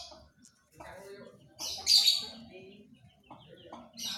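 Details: Panda-type canary singing: brief bright high chirps and twittering bursts, loudest around the middle, with a few softer lower notes between phrases.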